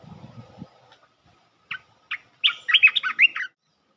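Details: Bulbul call played as a trapping lure for a territory-holding bird: two separate sharp chirps, then a rushed, lively string of warbled whistled notes, after a brief low rumble at the start.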